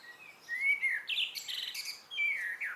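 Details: Blackbird's evening phrase: a rising then falling fluted whistle, a burst of high squeaky twittering, then another clear slurred whistle.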